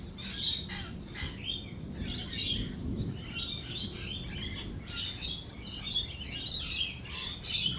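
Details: Several lorikeets keep up continuous shrill, grating chatter and screeches during a thunderstorm with rolling thunder, overlapping calls throughout and a deeper rumble swelling around the middle.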